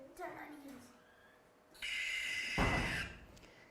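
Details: A female barn owl from Ireland gives a harsh, hissing screech lasting over a second, nothing like a hoot, played after a person speaks indoors.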